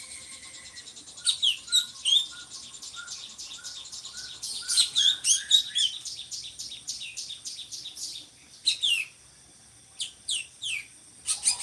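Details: Actively singing drongo, valued as a tutor for other songbirds: a row of soft, evenly spaced low whistled notes, then dense bursts of high chirps and sweeping slurs, followed by separate sharp phrases after a short lull.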